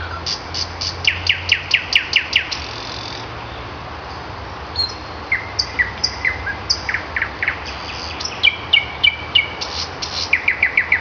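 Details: May morning song of a common nightingale: a rapid run of repeated sharp notes, then spaced high whistles and upward-sweeping notes, ending in quick repeated doubled chirps and fast trilled notes.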